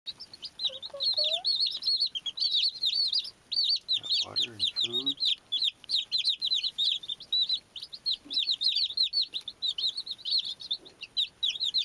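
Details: Baby chicks chirping constantly: a dense chorus of high, thin, rapid peeps from many birds. A few lower, harsher harmonic sounds briefly break in near the middle.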